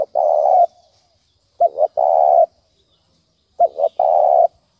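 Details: Spotted dove 'thúc bổi' cooing meant to rouse decoys for trapping. A long steady coo, then two phrases of a paired short note leading into a sustained low coo, roughly two seconds apart, in a silent background.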